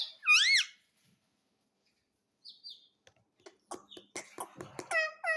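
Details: Pet green parrot indoors, drawn to a mirror: a loud wavering whistle opens, then after a pause soft chirps build into a run of sharp clicks and rising squeaky notes.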